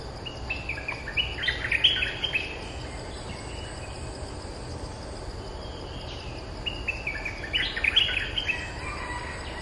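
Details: Resident Streak-eared bulbul answering lure calls with two separate bursts of loud, jumbled chattering notes several seconds apart, set against constant insect drone and low noise.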